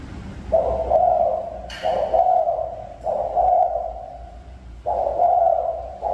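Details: Spotted dove from a mountain region utters long, low, rough coo notes, four in sequence. A brief click sounds between the first two, over a faint hum.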